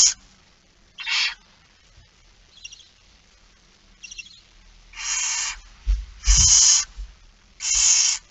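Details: Barn owl begging at a feeding at 06:57 on 13 September 2019: long, harsh, hissing screeches at irregular intervals, with faint softer calls between and a low thump.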